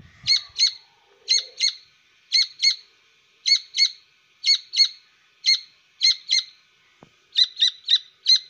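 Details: Grey francolin (Francolinus pondicerianus), chick call.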